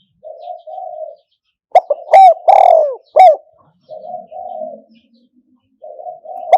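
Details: Spotted dove kept as a decoy for traditional trap-enclosure trapping: soft, breathy paired coos before and after a loud phrase of short, ringing coos and one long, sliding note, with a faint low hum in the quiet stretch.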